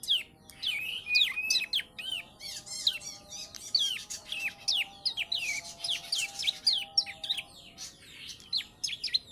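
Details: Bar-winged prinia, a three-month-old youngster tutored with ciblek song, delivering dense, energetic sequences of curved chirps and ticking notes almost without pause, with a soft background hum.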